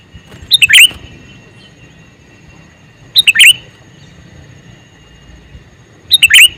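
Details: A male sooty-headed bulbul repeats a short, cheerful phrase of a few rapid bubbling whistles three times, separated by gaps of about two and a half seconds, with little else heard.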